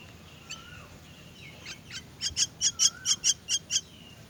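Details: Myna chicks being fed: after a few soft whistled notes, a steady series of about eight loud, high, harsh chirps follows at an even pace.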